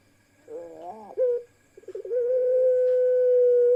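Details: Ringneck doves in a cooing parade with a single female among them: a short rising-and-falling throaty coo, a brief clipped note, then stuttering notes running into one long steady coo.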